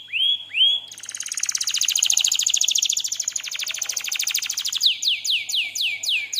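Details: Canary song recorded as a master lure track for training other canaries: two clear upslurred whistles, then a long, fast, buzzy rolling trill, ending in a run of quick, repeated downward-sweeping whistled notes.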